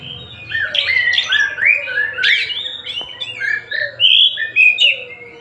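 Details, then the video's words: White-rumped shama, Tasikmalaya type, sings a flowing run of whistled and warbled notes, rising and falling, with a brief loud sweeping burst midway and clear fluty whistles near the end. "Kacer Tasik Muni sak enak e atine"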